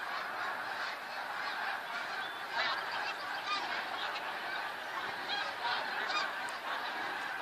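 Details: Snow geese by the thousand, recorded 28 February 2013: a dense chorus of barking honks, with a few nearer, louder yelps standing out above the steady flock roar.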